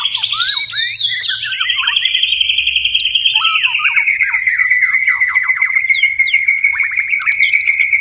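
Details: White-rumped shama at night holding a long, steady whistled note that slowly slides lower, laced with quick chirps and short downslurred flicks. A faint low hum sits beneath.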